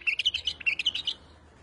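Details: Short phrase from a white-eared bulbul, wing-flicking: about ten bright, clipped chirps in quick succession over roughly a second, ending abruptly with quiet afterward.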